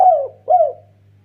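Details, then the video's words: Spotted dove, a lively caller used to provoke rival doves, gives two mellow coos in quick succession, each starting higher and sliding down, over a faint background hum. "BURUNG DERKUKU MASTER GACOR KUK 1 BIKIN RIBUT TEKUKUR LAIN"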